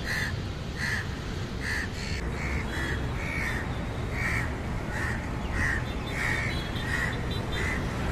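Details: Crows at a nest on a high-rise apartment building in Leipzig, giving a long run of hoarse, harsh caws about once every half second, steady and repeated over a low background hum.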